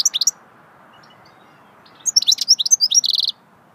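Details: Swittey goldfinch song, a quick run of sharp, high liquid notes climbing into a tight buzzy trill, after a brief opening flurry of chirps.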